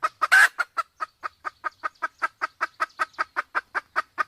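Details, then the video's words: Red junglefowl pair from Sumatra, the female in heat: a steady rapid series of clipped clucks, about five per second, after one loud harsh note near the start. "suara ayam hutan Sumatra || jantan betina kombinasi betina birahi"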